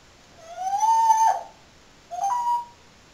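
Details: Caged pet parrot under a blanket, vocalizing while meant to be sleeping: two clear whistles, the first long, rising then level, the second shorter and flat after a pause, in a still, quiet room.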